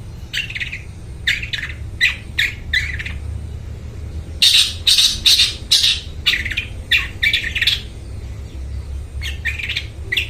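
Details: Long-tailed shrike singing loudly, recorded to coax mute shrikes into song: harsh, scratchy chattering bursts in quick uneven series, roughly two per second, with a louder dense cluster midway and low background hum throughout.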